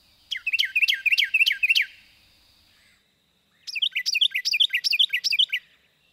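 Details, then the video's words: Carolina wren in central Kentucky in spring, a small but very loud singer, giving two loud bursts of rapid, rolling three-note phrases, each phrase repeated about five times, clear and ringing; territorial song. "so one other bird that's really loud singer even though it's very small is a Carolina wren and that"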